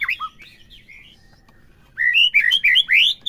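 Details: White-rumped shama singing, played to push a captive bird into song: a few whistled slurs, then a soft, faint pause, then loud, clear rising whistled phrases in quick succession.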